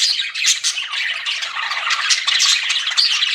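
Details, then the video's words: Pet budgerigars chirping, described as flirting: a dense, continuous warbling chatter of scratchy chirps, squeaks and trills, with no pauses throughout. "CUTE PET BUDGIES CHIRPING"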